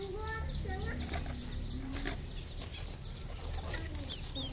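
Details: Red junglefowl on a farm in Cambodia: a flock gives many thin, high peeps that fall in pitch, several each second, mixed with lower, rounder clucking notes over a steady high hiss.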